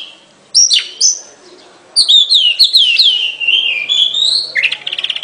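Oriental magpie-robin singing: two bright, sliding whistled notes, then a longer run of high warbled and slurred phrases, ending in a quick buzzy trill.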